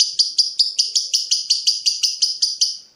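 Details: Lovebird provoking a rival during breeding mood: a short series of about fifteen sharp high chirps, evenly spaced roughly five per second, fading at the end.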